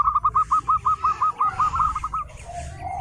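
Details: A local zebra dove delivers a fast, evenly spaced string of about fifteen purring coo notes that fade at the end, over steady low background rumble; intended to lure other zebra doves to sing.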